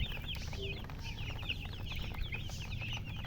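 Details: Baby chickens chirp in quick, high, overlapping peeps, many small birds calling together above a steady low hum.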